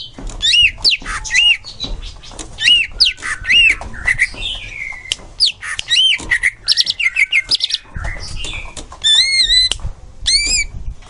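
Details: Green leafbird song used as a tutor recording for young birds: a rich, busy run of sharp chirps, harsh squawks and bright upslurred whistled notes, rapid and varied, with short pauses between bursts.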